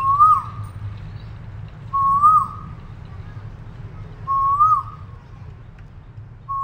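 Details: Repeated whistled calls of an Asian koel, three evenly spaced rising phrases about every two and a half seconds, each climbing then dropping briefly, a fourth just beginning, against a faint low rumble.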